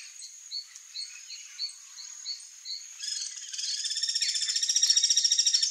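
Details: Gregarious Guira cuckoo (Guira guira) alarm: soft short chirps repeated roughly twice a second, then a harsh, rapidly pulsed rattle that grows louder and continues to the end.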